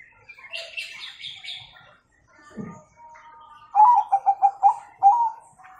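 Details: High, scratchy twittering from other birds comes first, then a Bangkok zebra dove sings its 'kung' song as a training model for young birds: a quick run of five soft coos, followed by a single longer note.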